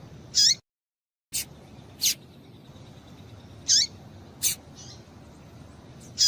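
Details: Female double-collared seedeater calling to excite males into singing: short, high, sharp chip notes with a quick downward slur, spaced irregularly about a second apart, with one brief silent gap, over a faint low hiss.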